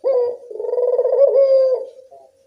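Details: Single cooing phrase of a local Barbary dove, played as a lure for doves to answer: a brief rising note, a throbbing rolling stretch, then a smooth sustained low tone fading out.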